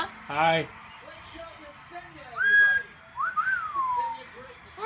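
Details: A pet double yellow-headed amazon parrot calls indoors to get attention. It gives a short harsh squawk, then a clear rising whistle and a long whistled glide that swoops up and falls away, separated by quiet pauses.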